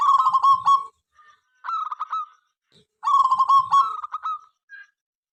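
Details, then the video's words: Zebra dove of a local type in lively song, said to get rival birds calling morning, noon and night; three loud bursts of rapid, bubbling, pulsed coos, each about a second long. "Perkutut Lokal Berisik Gacor Pagi Siang Malam Bikin Lawan Ikutan Bunyi"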